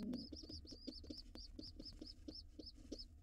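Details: A wild rock pigeon family at its nest, with a white father, a gray mother and their young nestlings. High thin peeps come in quick series, about four a second, each slightly arched, with soft low knocks and scuffles underneath.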